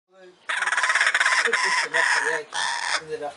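A kookaburra gives a harsh, rapid burst of chuckling notes that rise into a loud, ragged laughing run for about three seconds, with brief breaks between bursts.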